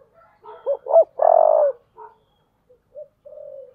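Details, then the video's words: A spotted dove in the 'thổ' voice, cooing to spur a fight. Two rising hooked notes lead into one long, loud, rough coo, followed by a few faint, short, spaced notes and a soft final coo. "cu gáy giọng thổ/ cu gáy thúc đấu"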